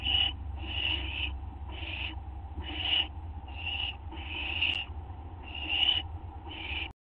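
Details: Around 2:16 AM on 30 August 2011 a live-camera owl being given a treat repeats rasping, hissy screeches, roughly nine bursts in quick regular succession, before the sound cuts off abruptly; faint low hum underneath.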